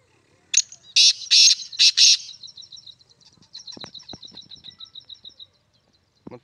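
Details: Sindhi black francolin calling: a run of five loud, harsh grating notes in about two seconds, followed by a long series of faint rapid ticking notes and a few soft clicks.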